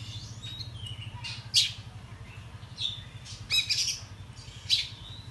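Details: Excited Oriental magpie-robin with spread tail giving morning song, played as a lure to provoke rival birds: loud rasping squawks and brief thin whistles at uneven gaps, a constant low electrical hum beneath.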